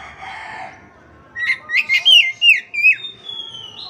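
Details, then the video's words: Oriental magpie-robin (kacer) song meant to coax a silent caged kacer into singing: a soft low rustle, then a lively sequence of seven clear whistled notes, rising and falling, ending in a held thin whistle. "KACER MACET TOTAL pasti akan PULIH dan NYAUT dengan dimasteri kacer ini"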